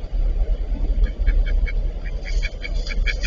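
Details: A fighting pair of Eastern spot-billed ducks gives short, harsh quacks in a quick series, growing busier toward the end, against a loud, constant low-pitched rumble.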